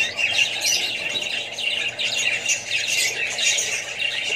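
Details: Australian budgerigars housed with more parrots and babies: many birds warbling at once, rapid chirps and harsh squawks forming a constant, lively babble.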